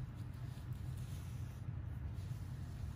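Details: Low steady rumble like a running vehicle, with no animal sound heard.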